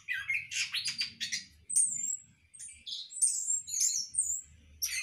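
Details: Orange-headed thrush kept for breeding in a hanging cage, giving a fast, varied run of chirps and whistled notes, some sliding upward, others short and buzzy, in quick bursts with brief pauses; faint low room hum beneath.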